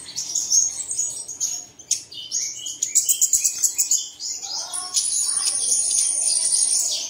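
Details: Bird song used as an early-morning prompt so caged birds begin singing: quick high chirps and twitters, a burst of rapid clicking notes midway, then a long steady high trilling stream.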